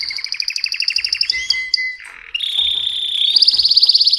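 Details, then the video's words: A mosaic canary sings a fast, rolling song of high trills and clear whistled notes, with a brief pause before a bright rising trill. "تغريد كناري موزاييك Chant de Canari Mosaïque"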